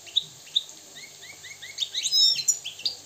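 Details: Wild Moroccan goldfinch heard more softly: scattered thin, rising chirps, then a quick tangle of high, squeaky twitters and sliding notes.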